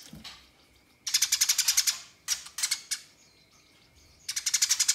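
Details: House sparrow in a fight, calling rivals: a quiet start, then a fast rattling string of about ten harsh chirps, a shorter burst of four, a lull and another rapid chattering run.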